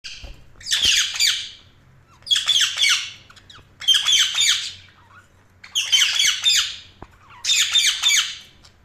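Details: Budgerigar chirping: five harsh, buzzy bursts of chatter, each about a second long, repeating roughly every one and a half seconds in a quiet room.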